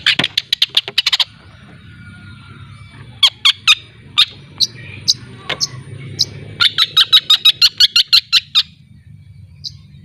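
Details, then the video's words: Long-tailed shrike (cendet) from Lampung, a young bird learning to sing (ngriwik), used as a lure; rapid series of short sharp ticking notes, a pause, then scattered clicks building into another quick repeated burst. "Suara Pancingan Burung Cendet Belajar Ngriwik ‼️Cendet Lampung"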